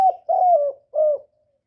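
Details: Brief spotted dove coo sequence: a falling start, one drawn-out mellow coo easing downward, and a shorter final coo, with nothing else audible.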